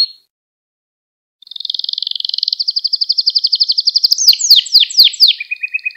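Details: Canary singing a training song for young canaries: silence, then a long accelerating pulsed roll, breaking into bright, swooping repeated notes and a final lower trill.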